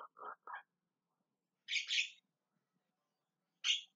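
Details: Javan myna giving sparse calls: a few lower scratchy notes, then a rasping double squawk and, after a pause, one more harsh screech.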